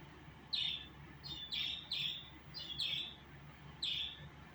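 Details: Six or so bright, downslurred chirps from a budgerigar, some doubled, spaced irregularly about half a second to a second apart over a quiet hum.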